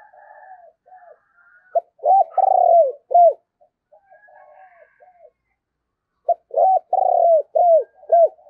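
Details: Spotted dove kept as a decoy during the Tết season, cooing to lure wild birds: two loud phrases of short rounded hoots and one long falling coo, each phrase about two seconds, separated by quieter soft coos.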